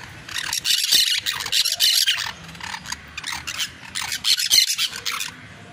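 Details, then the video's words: Scratchy, rasping parakeet chatter begins quietly, then swells into bursts of shrill squeaks and grating notes roughly four a second, with quieter gaps between phrases. "PERICOS CANTANDO"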